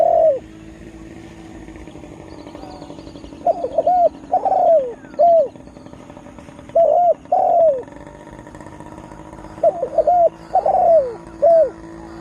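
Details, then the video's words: Spotted dove lure bird, newly singing with vigour to excite wild birds, gives repeated phrases of three or four short mellow coos, about three phrases across twelve seconds, against a low steady hum. "Tekukur Dengan Daya Panggil Yg Unik Bikin Burung Liar jadi Emosi"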